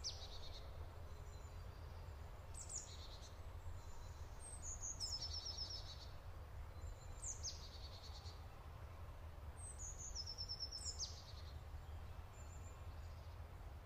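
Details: Black-throated munia, also called Jerdon's mannikin: high, thin calls in short bursts, some as fast buzzy trills and some as quick downslurred notes, repeated every few seconds over a steady low background rumble.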